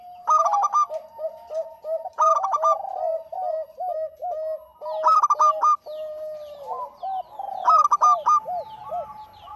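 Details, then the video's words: Zebra dove of the local type, singing frequently for use as a lure: emphatic stuttering bursts of coos alternate with gentle rounded notes, the pattern repeating roughly every two to three seconds. "Suara Burung PERKUTUT LOKAL GACOR"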